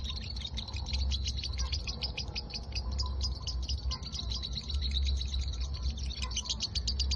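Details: Pet lovebird kept in a cage and trained in the 'konslet' style, delivering a long unbroken stream of fast, high-pitched chattering chirps against a constant low background hum.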